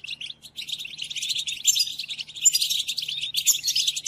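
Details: European goldfinch song for training captive goldfinches: a dense, fast twittering of tinkling, buzzy high notes with little pause, growing louder and fuller toward the middle and end, plus a faint low hum.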